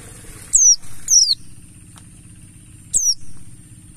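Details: Mountain white-eye lure recording: three single high, thin downslurred whistles, the first two close together and the third after a pause of almost two seconds, over a low steady hum.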